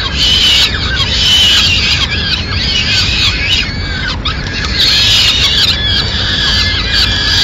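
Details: Peregrine falcon nest in Madrid, 29 April 2016, during a food delivery by the mother to the chicks; rapid, shrill, excited squealing calls that run together, with a short break midway.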